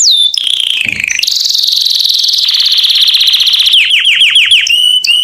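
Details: Canary delivering a loud mating song to attract females: a falling whistle, sustained rolling trills, then a quick run of repeated downslurred notes and a steady held tone.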